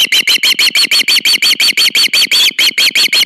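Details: Osprey at a nest cam as the male brings the female a fish, August: insistent run of loud, piercing whistled chirps, roughly three per second, each note bright and slightly rising, with one brief gap.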